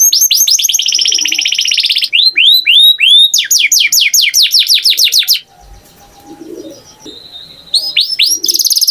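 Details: Canary delivers a buzzy trill and bright falling swoops, goes quiet for a couple of seconds with only faint background, then resumes with a fast trill.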